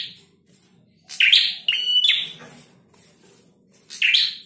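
A male prinia sings loud, sharp, buzzy bursts of high chattering notes, each under a second long, repeated about every one to two seconds.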